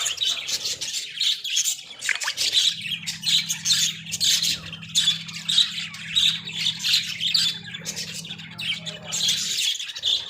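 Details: Australian budgies in a small cage, kept as pets, chattering loudly and continuously with rapid scratchy squawks and high chirps in pulsing bursts, over a steady low mechanical hum.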